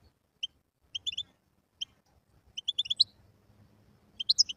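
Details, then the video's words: Wild European goldfinch, singing for chick tutoring: sparse, high, clipped chirps spaced irregularly, gathering into short twittering clusters, over a faint low background hum. "تغريد الحسون البري"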